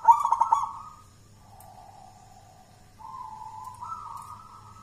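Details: Zebra dove of local Mojopahit stock, Java, champion in song contests, raised from a wild-found chick: a loud rolling opening coo, then a softer low drawn-out note, followed by two steady coos stepping upward.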